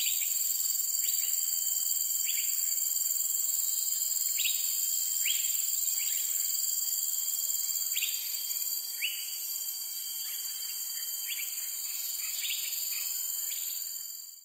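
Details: Uncommon Singapore resident of forest and forest edge, the cream-vented bulbul repeats brief sharp slurred notes, often in pairs, through a constant shrill drone of crickets and other insects.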